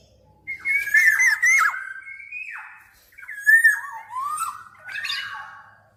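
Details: Black-naped oriole giving rich, fluty whistles in two connected phrases. The notes slide up and down and end in sharp falling slurs, on a quiet background.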